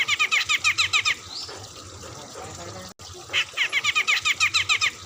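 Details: Medan bearded bulbul in full song, delivering two quick series of short, coarse, rapidly repeated notes with a short gap between them, against a low steady background hiss.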